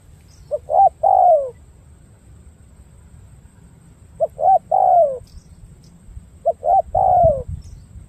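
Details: Spotted dove cooing in three phrases spaced a few seconds apart, each of quick short notes rising into a longer falling hollow coo, with faint rustling.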